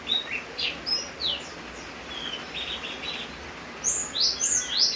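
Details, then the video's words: Javan grey-throated white-eye singing during rain: sparse, thin high whistled notes, some sliding, then a brighter burst of rapid, rising-and-falling high notes at the end over a soft hiss. "opior jawa gacor saat hujan."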